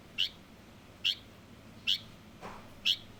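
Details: Quick series of four piercing, short chirps from a young Light-vented bulbul, under a second apart, with a faint lower, softer note in between.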